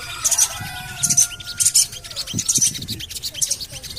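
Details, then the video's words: Javan cochoa call used as a lure and therapy to make birds sing: clusters of shrill, high chattering chirps recurring roughly every half second, over a thin level whistle and soft low rustling. "CUIT...CUIT...CUIT PANGGILAN SOGON AGAR BUNYI"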